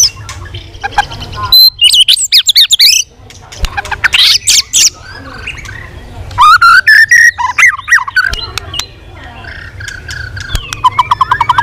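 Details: Competitive song of a white-rumped shama flicking its tail in training: bursts of rich, varied whistles and rapid warbles, separated by brief pauses, over a low background hum.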